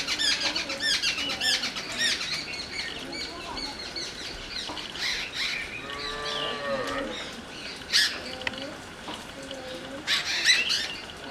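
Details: Harsh rasping chatter of jungle babblers, locally satbhai, strongest at the start, then scattered shorter bursts; a cow gives a long low moo midway and brief lowing follows.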